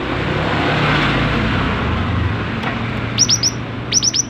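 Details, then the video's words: Cinereous tit in active song, used to prompt other birds to sing: after a stretch of low rumbling traffic-like noise, two quick bursts of three sharp, high, clipped whistles each near the end. "Masteran gelatik batu gacor"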